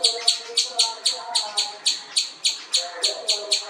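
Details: Jungle babbler, the common babbler or seven sisters, giving steady harsh chattering notes, roughly three or four each second, with faint lower tonal sounds underneath.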